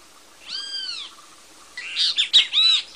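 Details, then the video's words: Great kiskadee (bem-te-vi, Latin America) gives one long nasal arched note, then after a gap a quick cluster of shriller, squawking notes. "Great Kiskadee Bird Singing (Bem te vi)"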